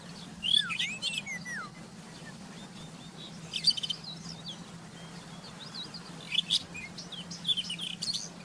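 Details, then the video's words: In the wild, a rufous-tailed scrub robin delivers separate bursts of song: falling whistled slides, then clusters of sharp bright notes spaced a few seconds apart, with a quiet hum underneath. "Burung Kicau"ROBIN SCRUB"Isian Hebat..Gacor di Alam liar"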